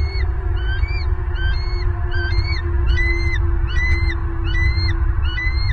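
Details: Bald eagle pair in their Southwest Florida nest on 26 November 2022, male arriving with prey, recorded by a live nest camera: a quick series of high, piercing, upslurred chirps, repeated rapidly, with a constant low rumble beneath.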